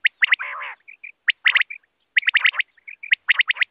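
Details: Night quail sound: clusters of loud, bright clipped notes in quick bursts, one long buzzy harmonic note near the start, and soft short whistles between bursts. No background noise.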